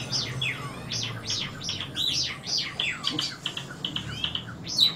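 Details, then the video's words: Summer tanager singing in the morning, punctually every day from 7 am; a busy run of quick, high chirped and slurred notes, some sweeping down, tumbling almost without pause over a soft low hum. "Reina Mora Cantando Por Las Mañanas."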